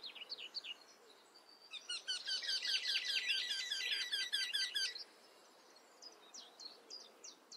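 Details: Eurasian wryneck calling: a quick run of evenly repeated, slightly nasal notes lasting about three seconds, preceded and followed by scattered short chirps against a quiet background.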